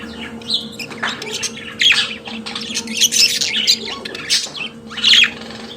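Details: Pet budgerigar chattering: dense bursts of scratchy squawks and warbled chirps mixed with thin high whistled notes, steady low hum underneath.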